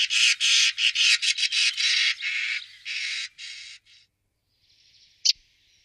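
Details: Common starling singing, Wittlich, 2017: a quick stutter of loud, rasping, buzzy bursts that slows and fades, followed by a soft hiss and a single sharp click.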